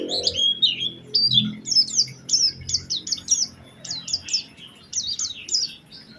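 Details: Oriental white-eye singing an energetic lure song in a special phrasing style: clear, high, slurred whistles, each rising then falling, delivered in quick groups of two to four notes with brief pauses between groups.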